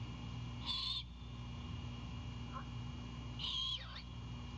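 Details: Great horned owl owlet at a nest in Savannah, greeting its mother as she returns with a whole anhinga, with wing flaps and chips: two harsh, hissy screeches about three seconds apart, plus a faint short note, over steady hum.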